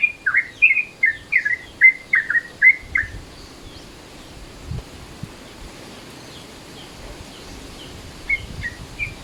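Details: Yellow-vented Bulbul, midday-mode calling for use as a lure: a quick string of about nine bubbly, slurred notes, then a long quiet stretch before a few softer chirps return near the end.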